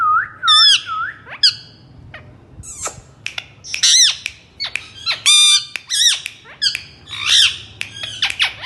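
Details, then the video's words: Indian ringneck parrot, a talking bird, opens with wavering looped calls and continues with a lively run of sharp harmonic squawks and chips at irregular intervals. "mithu mithu parrot voice"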